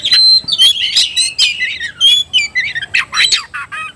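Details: Oriental magpie-robin (kacer) excited to fight, pouring out a continuous varied song of loud whistles, buzzy rasps and slurred mimicking phrases with barely a pause across four seconds.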